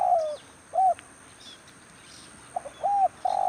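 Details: Spotted dove cooing in rainy-season weather, used as a decoy bird while trapping wild doves; low hollow cooing notes, several short arched coos with a longer one at the end, over steady rain hiss.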